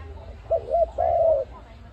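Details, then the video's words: ARIMIX dove, a call meant for trapping. A single phrase: two quick rounded notes, then a sustained coo sliding slightly downward, over low background rumble. "Sound of ARIMIX dove quality sound to use for trap"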